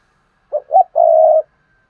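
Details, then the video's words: Spotted dove kept as a decoy to train newly caught birds to coo: one phrase of two short hollow notes followed by a sustained, slightly wavering low coo, with silence around it. "Tiếng chim cu gáy kích bổi nhanh nổi// cu gáy mồi luyện bổi nhanh gáy"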